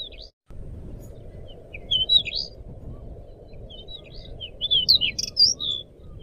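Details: Pied bushchat in full, lively song for training caged birds: short bursts of high, sharp chirps and slurred whistles in two main groups, set against a constant low rumbling noise.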